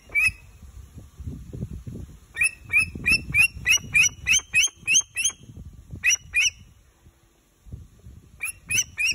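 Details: Pet bat hawk (Macheiramphus alcinus) giving a rapid series of sharp, high, slightly squawky notes, about three per second, in bursts separated by short pauses, over a low background rumble.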